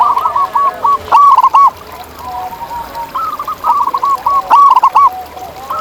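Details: Wild zebra doves sing repeated bubbling coo phrases, with the loudest at the start and near the end. A chorus of quieter doves coos continuously underneath.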